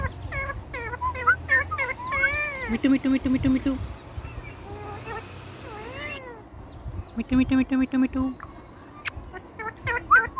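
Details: Indian ringneck parakeet mimicking speech: a quick run of harmonic, bending, speech-like syllables and whistles, a few rapid nasal notes, then more clipped chattering syllables and a sharp squeak near the end.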